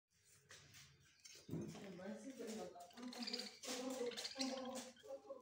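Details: Parrot talking, giving quiet speech-like babble with harmonic voiced syllables and gurgling sounds, growing louder after the first second and running on in short phrases.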